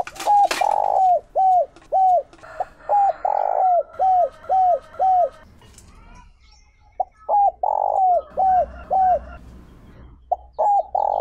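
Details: Spotted dove decoy bird giving the Chiêu Ba Hậu call style used to provoke wild doves: quick runs of short, arched, mellow coos, about eight in a row, a pause of near two seconds, then further runs; a few sharp clicks at the start.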